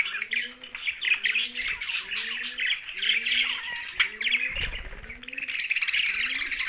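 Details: Young budgerigars chirping in a dense, busy warble of high chatter. A lower double note repeats about every 0.8 seconds underneath.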